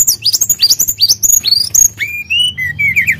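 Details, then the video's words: Sunda blue robin (tledekan gunung) singing keenly to provoke a response: a fast tumble of high zigzag whistles, then softer, lower warbled notes that fall and rise. "Pancingan Emosi Burung Tledekan Gunung Gacor"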